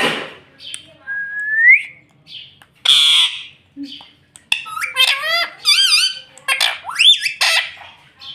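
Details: Talking rose-ringed parakeet kept as a pet, known for saying "mummy": a rising whistle, a burst of squawk, then a rapid series of wavering, swooping whistled and voiced notes, some rising sharply at the end.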